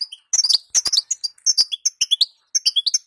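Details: Female European goldfinch calls, used to make male goldfinches sing: rapid high twittering chirps in quick bursts of three to six notes, separated by brief pauses, with sharp clicks and no other clear sounds.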